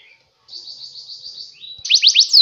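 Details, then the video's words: Canary singing in short phrases: a fast buzzy trill held level, then a lower slurred note and three loud downward-sweeping whistles in quick succession. "Kenarinya Ganteng ya!"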